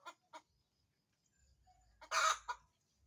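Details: Chicken on the verge of laying, searching for a spot: two sharp clucks, a short quiet gap, then a loud harsh squawk followed by one more cluck.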